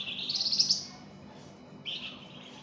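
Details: Flamboyan in vigorous song, recorded as a tutor: one long buzzy phrase climbing in pitch, then a pause and a shorter, lower buzzy note.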